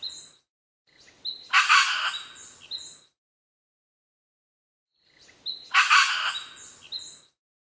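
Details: A red wattlebird in Australia on 21 December 2015 gives a harsh, rasping, throaty call, opening with a few clear notes. The phrase comes twice, about four seconds apart, in a quiet setting.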